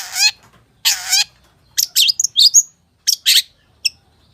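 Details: Long-tailed shrike in busy full-isian song with mimicry: two raspy, buzzy bursts open the phrase, followed by quick high chirps, slurred whistles and a final thin note.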